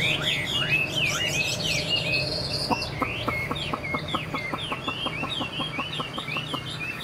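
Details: Young caged Chinese hwamei pouring out fast, varied whistled song of swooping notes and short trills; a regular series of sharp ticking clicks runs beneath the second half, with a faint steady hum.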